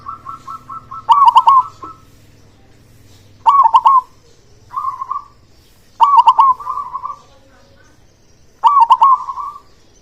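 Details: Loud-voiced local zebra dove singing to prompt quiet doves into song; five phrases of sharp, stuttered coos, one roughly every two seconds, some opened by soft rolling notes.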